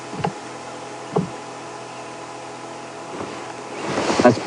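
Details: Steady vehicle engine hum with a few knocks and clatters, and louder rattling near the end; no animal voices.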